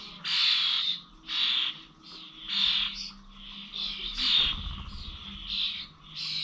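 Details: Starlings at Corby old village bird feeders, recorded 21 November, call in harsh, hissing squawks repeated about once a second, each burst swelling and fading, with a short low thump midway.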